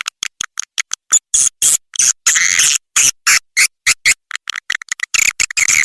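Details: Swiftlet sound for attracting swiftlets: clipped, high chirps and short buzzy bursts repeated rapidly and irregularly, about three or four per second, separated by silent gaps.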